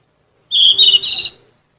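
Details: Yellow-rumped flycatcher singing as a model for captive songbirds: one loud, continuous, high warbled phrase of about a second, steady whistles with a brighter lift near the end.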